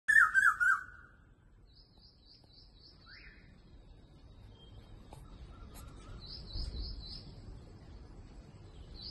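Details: In the morning, an Indian cuckoo gives one quick phrase of four whistled notes at the start, then falls silent while small birds chirp faintly and high in the background.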